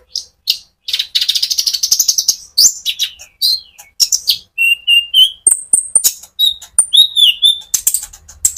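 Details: Sunbird (konin) in full rolling song, used to stir other sunbirds into singing; a fast, dense run of high scratchy trills and chips, then thin whistled notes and short sliding phrases.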